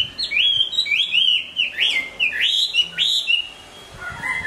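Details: Moulting caged hwamei sings a clear series of rising, looping whistles repeated about every second, five or six loud phrases, closing with a lower, softer whistled note.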